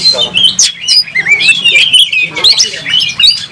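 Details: Oriental magpie-robin in full song, fighting with tail spread and showing agitation; high, scratchy whistled phrases and chirps tumble together continuously with sharp clicks, over a faint low hum.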